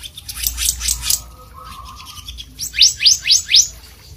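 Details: Blue whistling thrush singing vigorously: a harsh burst of notes, then four quick rising chirps in a tight series, with a steady low hum underneath.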